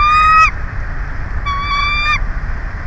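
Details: Bald eagle at its nest in Big Bear, San Bernardino, on 04/03/2024, with three eggs awaiting the first chick to hatch. Two thin, level, whistled notes with bright overtones, a short one then a longer one, over steady wind rumble.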